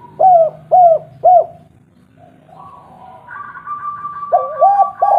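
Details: Local spotted dove calling with a deep tone as a lure for other doves: three evenly spaced arched coos, a lull, then coos rising again beneath a thin, steady, higher whistle.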